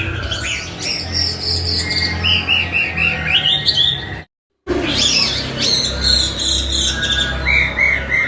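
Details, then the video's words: Chinese hwamei pouring out a varied song of fast whistles, trills and sliding notes, cut by a brief moment of silence midway before the rapid whistling resumes over a low hum. "Hwamey Wambi gacor isian istimewa"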